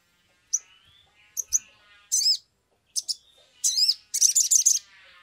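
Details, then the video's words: Sumatran leafbird used as a lure recording to make birds sing; separate sharp high chips and short, looping, whistled phrases, ending in a quick rattling burst of high notes. "pancingan sogok ontong atau SOGON biar cepat bunyi"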